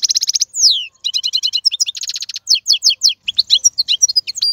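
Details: Male European goldfinch singing to teach young birds: rapid high twittering with buzzy trilled bursts, a falling slurred whistle and crisp repeated chirps in quick succession, without background noise.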